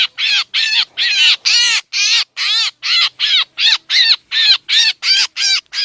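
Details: Lure recording of black drongo calls played to draw birds in for trapping: loud, buzzy, arch-shaped rasping notes repeated evenly about two to three times a second, with no other sounds.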